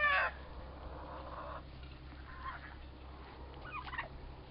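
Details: Two young turkey toms, about four months old, fighting; a short loud harmonic call bursts out at the start, followed by faint, quieter calls and a low background hum.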